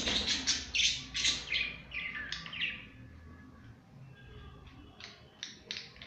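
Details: Budgies at play as pets, producing rapid buzzy chirps and warbled notes in a dense run, then quieter scattered chirps toward the end.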